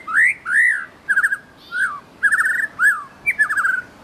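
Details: Wild white-rumped shama singing loud and melodious: bold arched whistles alternating with quick warbled trills, phrases spaced by short gaps, each note rich and clear.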